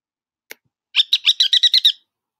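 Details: Ruddy Turnstone call played from a reference recording: a faint click, then a fast, high-pitched chattering run of about eight sharp, rattling notes lasting roughly one second, with no other sounds.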